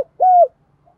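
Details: Decoy spotted dove calling to lure wild doves: one clear, slightly descending coo lasting about a quarter second, followed by a faint short echo-like note; otherwise quiet.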